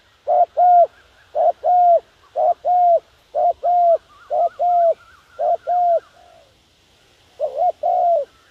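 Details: Lure spotted dove calling for wild doves: a rapid run of paired hollow coos, about one pair per second, then a brief pause and one more pair, with a faint high hiss behind.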